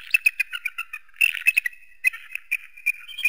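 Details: Eagle giving rapid, excited chittering calls, sharp clipped notes tumbling in quick irregular bursts with little pause between them.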